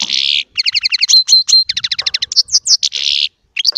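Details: Song of a small Baster European goldfinch in chardonneret style, opening with a harsh buzz, then evenly repeated doubled chirps, a clear whistle, rapid ticking trill and a closing nasal buzzy note.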